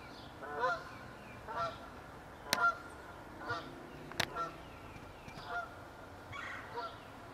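Geese give nasal honking calls, one or two every second or so, growing and fading as the flock passes, with two sharp clicks and a faint background hiss.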